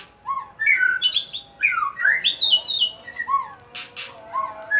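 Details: White-rumped shama, a caged bird used to provoke other birds into singing, delivering a varied song of rich whistled phrases, sliding notes and short harsh buzzy bursts, with a faint steady hum behind.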